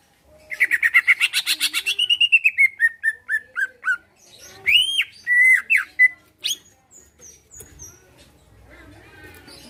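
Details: Caged greater green leafbird singing to provoke answering song and fighting: a dense rapid chatter trailing into descending whistled notes, a few loud upswept whistles, then quieter faint sounds.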